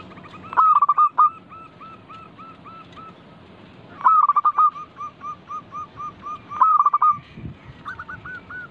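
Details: Local zebra dove singing vigorously as a lure to prompt other doves to sing. A burst of rapid stuttering notes leads into a run of short, soft, evenly spaced coos. The phrase is repeated three times, about every three seconds.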